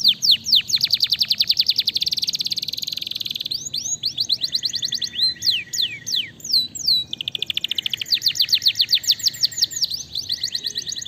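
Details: Fighter canary singing to make other canaries reply: long rapid trills of high notes, a sustained buzzy rolled section, then sweeping descending notes and more fast repeated trills.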